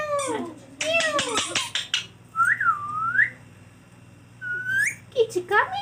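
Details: Green ringneck parrot kept as a pet, talking and whistling: a burst of harsh, speech-like syllables, then clear swooping whistles that dip and rise, a pause, and another rising whistle followed by short squeaky notes.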